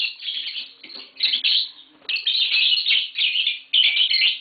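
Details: Tame green Fischer's lovebirds indoors chatter in dense, fast, shrill squeaks and twitters that run almost without a break for several seconds.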